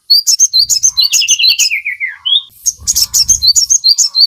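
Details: Sogon song played to captive birds to spur singing. Quick high chirps repeat rapidly, joined midway by a descending run of lower whistled notes, with some low background rumble.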